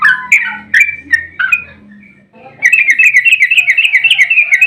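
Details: Excited yellow-vented bulbul used as a lure for other bulbuls: a few separate loud whistled notes over faint low noise, then a quiet gap and a fast rolling trill of bubbly repeated notes.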